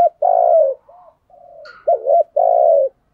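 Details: Spotted dove used as a decoy to draw in wild doves, calling close up: a few deep, smooth coos, one softer and quieter, ending with a dipping double coo and a sustained full note.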